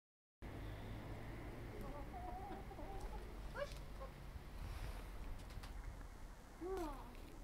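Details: Domestic chickens, a flock of ten hens and two roosters, pecking at bread while being fed on the first day of 2012; soft murmuring clucks, then a sharp rising squawk near the end over a steady low rumble.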